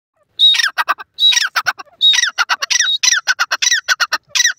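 A grey francolin gives loud, harsh, squawking phrases, each a rising note followed by rapid grating syllables, repeated roughly every second. No other sounds intrude.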